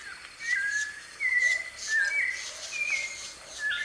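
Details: In the wild, a white-necked thrush delivers short whistled phrases, some level and some slurred, about four in under four seconds, against soft natural background noise.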